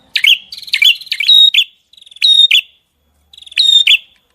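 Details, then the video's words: Songbird in a masteran recording pours out clustered chirps with rattling lead-ins and ringing, buzzy tones, phrases broken by short pauses. "Masteran Burung Gacor"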